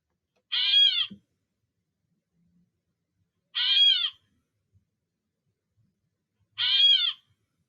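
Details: Gray Catbird, a backyard bird, giving its namesake call: three harsh, nasal, cat-like mews, each slurring downward, about three seconds apart against quiet.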